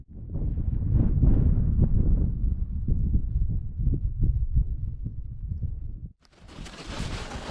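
Strong low wind buffeting the microphone, rumbling for six seconds, then a brief gap and a softer, steady broadband hiss; no animal calls.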